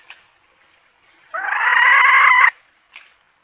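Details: A single drawn-out, harsh, slightly rising call lasting about a second from a red junglefowl hen kept as a decoy for luring males, with faint rustling before and after.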